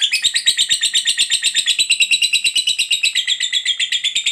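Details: Ngekek, the long chatter of a lovebird, played to prompt other lovebirds to reply: an unbroken rapid series of buzzy, squeaky high pulses, roughly three each second, even in pace.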